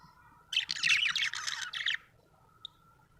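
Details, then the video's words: Budgerigar in a happy mood giving a fast, dense burst of high chattering chirps for about a second and a half, then one short isolated peep, over a low steady hum. "happy budgie chirping sound"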